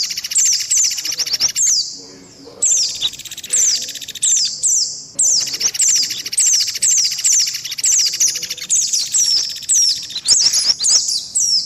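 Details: Indian white-eye lure recording combining chosen calls for fast response: dense runs of high, thin, descending chirps and twitters with short pauses, some buzzy trill overlaid.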